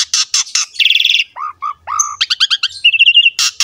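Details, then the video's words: Asian pied starling in gacor voice, kept as a masteran to get young or reluctant starlings singing: scratchy bursts, a fast stuttered chatter, low whistled slurs, then quick bouncing notes and a rapid trill. "MASTERAN BURUNG JALAK SUREN GACOR ISTIMEWA"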